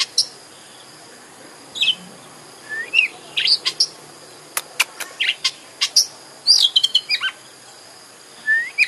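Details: Song of the Oriental magpie-robin (kacer), meant to stir another bird to sing and open its tail; scattered sharp clicks, whistled upslurs and short trills, busiest in the middle, over constant high hiss.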